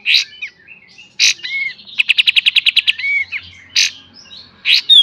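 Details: Kapas tembak, a cage bird, in a master training recording of its full beset and tembak song: sharp bursts alternating with short whistled slurs, then a fast even rattle of about twelve clicking notes and more bursts.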